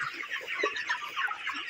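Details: Broiler chickens, 29 days old, raised on a poultry farm: a dense, overlapping chorus of chirps and soft clucks from many birds, steady and continuous throughout.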